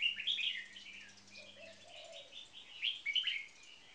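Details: Pair of caged red-whiskered bulbuls, a marathon frequency singing bird and a newly caged bird. Lively warbled notes open and close the stretch, with a soft low phrase and fading hum between.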